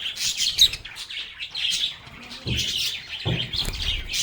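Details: Playful lovebird chatter: high, sharp chirps and sweet twittering notes, interrupted by a few low bumping sounds, likely movement nearby.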